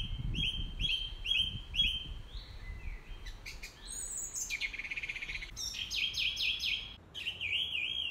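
Song thrush sings bright, clear phrases, each repeated three or four times before switching to a new one, over a low rumble of background noise.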